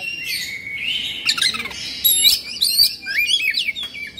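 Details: Oriental magpie-robin singing in excited 'emosi' style with tail spread; a sustained high whistle, then a run of quick rising and falling slurred notes and chips.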